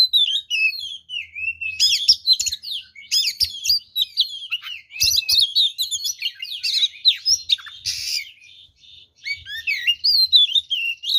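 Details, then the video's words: Fighting song of an oriental magpie-robin used to goad other males: a long, rich stream of twisting whistles, sharp chips and harsh bursts, loud and nearly continuous, with brief gaps. "SUARA BURUNG kacer gacor TARUNG FULL ISIAN ini PALING AMPUH MEMANCING KACER LAIN JADI EMOSI"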